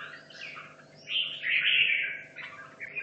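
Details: Caged red-whiskered bulbul from Hanoi, two and a half years in the cage, training for a song contest: rich warbled phrases, loudest and richest midway, with quieter chirps before and after over a constant low hum.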